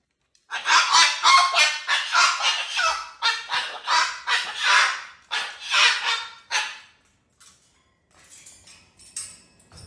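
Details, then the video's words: Excited pet cockatoo giving a run of loud harsh raspy screeching calls, about three per second, for six seconds, then quieter scattered noises. "Wow! So excited!! 😃💖"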